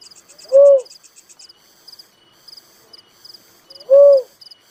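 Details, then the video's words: Soft, hollow coos of a little cuckoo-dove, two notes spaced a little over three seconds apart, accompanied by high, pulsing cricket chirps. "suara burung tekukur merah || suara burung uncal"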